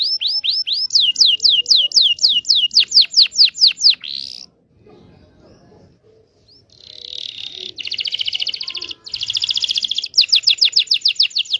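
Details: Indonesian local canary lure song for training young canaries and restarting silent ones: a fast series of repeated whistled notes, a quiet gap, then buzzy trills and quick repeated chirps.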